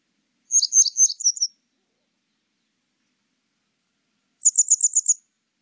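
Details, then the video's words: Grey wagtail giving two bursts of sharp, very high, metallic notes in quick succession, separated by a few seconds of silence; nothing else is heard. "노랑할미새, 여러번 듣기, 곤충소리, 새소리"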